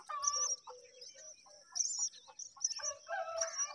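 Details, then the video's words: Baby myna birds at feeding time give a jumble of harsh rasps and squeaky notes in irregular bursts, set against a steady high-pitched background hum. "Myna Bird Feeding Time"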